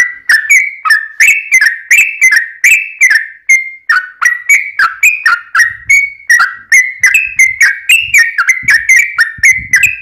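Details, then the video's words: Yellow-vented bulbul song used to coax other birds into calling: continuous loud, liquid whistled phrases that dip and rise, delivered at a lively, uneven pace, with faint low background noise. "trucukan gacor ROPEL PANJANG buat pancingan trucukan agar bunyi"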